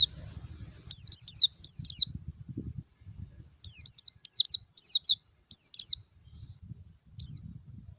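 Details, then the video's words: Clear-voiced forest white-eye lure for prompting captive birds to open their beaks and sing. High, thin notes drop in pitch and come in short trills of three to four, separated by pauses, over faint low noise. "PANCINGAN PLECI NGALAS SUARA JERNIH MEWAH"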